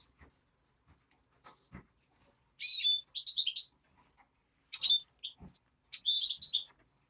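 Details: European greenfinch nestling calling: bursts of high, buzzy chirps with short clicks between, in groups of one to three notes separated by brief quiet gaps.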